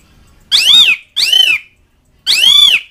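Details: Three harsh, ringing arched calls from an Asian pied starling, summoning mates and rivals, delivered in quick succession within three seconds.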